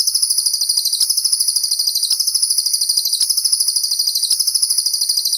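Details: Cililin singing in the 'tembakan' style, recorded as master audio for training songbirds like murai batu, cendet, cucak ijo and kacer; a continuous, piercingly high buzzy trill of rapid pulses, around three per second, lasting throughout.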